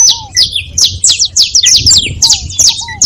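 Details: Several saffron finches chattering together: rapid, high, scratchy chips tumbling over one another, with one low, slurred whistle near the start and another later.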